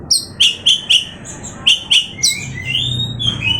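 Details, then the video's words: Oriental magpie-robin song: a regular series of sharp, clear whistled notes repeated about four times per second, then longer sliding whistles, over a low background hum. "awas Kacer nya jebol emosi dengar suara Kacer ini"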